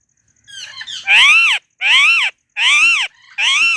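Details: Pet white rose-ringed parakeet chirping loudly: four strong arched screeches, each rising then falling, rich and harmonic, repeated roughly every second with short silent gaps.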